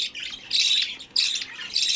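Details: Hand-fed budgerigar chick gives loud, continuous hoarse rasping begging calls, long harsh buzzy bursts broken by brief gaps.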